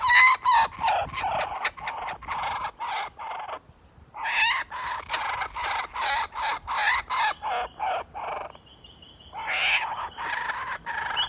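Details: A dad kookaburra teasing its baby with food before feeding it, perhaps offering it to his partner, gives a loud, rollicking laugh: harsh chuckling notes about three a second, a brief pause, then more cackling.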